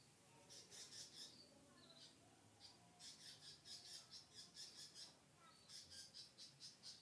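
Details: Lovebird kept at home giving quick, high, pulsed squeaks in fast runs of about eight notes, separated by short pauses, with a few soft lower chirps between bursts.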